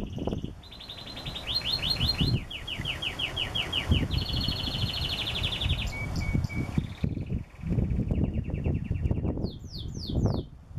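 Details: Singing canary delivering a varied song of fast rolling trills, a steady whistled note and high swooping notes, over heavy low rumbling wind or rustling noise.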